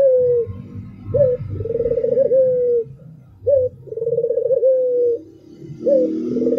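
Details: Albino Barbary dove calling in a steady rhythm: three short rising notes, each leading into a long trilled coo, with some low background rumble.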